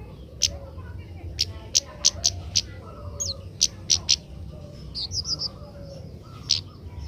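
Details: Young Oriental magpie-robin, a learner bird being trained to sing early. A series of loud, sharp high chips repeats irregularly, a few closely spaced, with a short warbled twitter near the end and steady low hum beneath.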